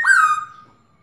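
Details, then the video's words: Female Black-throated laughingthrush calling to spur a male to sing: a single brief, bright whistle that slurs downward and fades out within a second. "Khướu mái ro kích trống căng lửa/Tiếng khướu mái ro ro kích bổi cực nhạy/Kích là hót"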